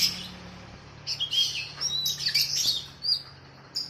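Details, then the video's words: Oriental magpie-robin training recording, paired with sooty-headed bulbul, played for captive birds: a run of bright, high whistled and chirped notes with quick varied phrases after a quiet first second, over a faint low hum. "KACER VS KUTILANG || MASTERAN 2 MENIT LANGSUNG NYAUTTT"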